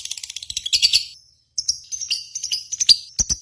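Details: Lovebird song from a contest simulation used to stimulate home lovebirds. A high, buzzy, stuttering chatter pauses briefly, then resumes as sharp metallic chirps and clicks.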